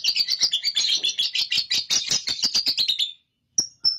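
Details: Chattering from a young lovebird, the kind of long ngekek chatter a training track aims to provoke: fast, harsh, rattling notes, roughly five per second for three seconds, then a pause and two short high chirps.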